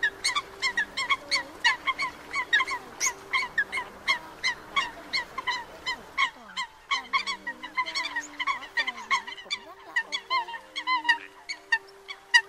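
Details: Sâm cầm, Eurasian coots, calling the flock and treading water, recorded as a night trapping lure: long continuous series of repeated honking notes, about two per second, with a low hum fading midway.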